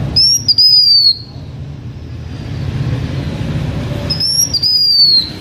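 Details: H'Mông-kept blue-winged minla singing to lure other birds: two loud, pure whistled phrases, a brief rising note followed by a drawn-out note that eases downward, separated by about three seconds of quiet low hum.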